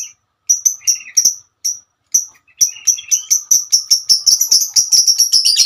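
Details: Female lovebird calling its companions with ngekek song: spaced high sharp chirps, then a quickening series of piercing notes that crowds into a fast stutter toward the end.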